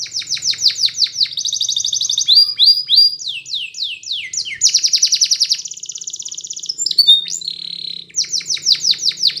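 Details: Spanish Timbrado canary song used to train a silent canary to sing: fast repeated chirping syllables, then metallic rolling trills and sliding whistled notes. Phrases change every second or two, with a faint low hum beneath.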